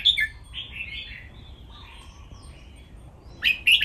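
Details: Cage-kept red-whiskered bulbuls in playful training song: a sharp chirped phrase opens, soft warbles follow, and a bright burst of notes closes.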